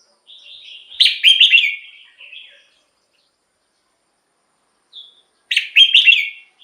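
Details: Red-whiskered bulbul, played as a decoy or to excite caged birds, giving a soft lead-in then a loud warbled phrase, a quiet gap of about three seconds, and the phrase repeated.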